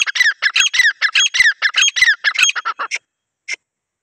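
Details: Female grey francolin in jungle, calling for hunting purposes: a dense run of loud grating notes, each dropping in pitch, repeated quickly for nearly three seconds, then trailing into two isolated harsh notes before silence.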